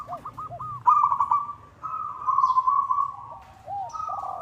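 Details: Local zebra dove calling a rival, suited for luring: a few short coos lead into long, wavering trilled phrases, while a second dove gives lower, drooping coos beneath.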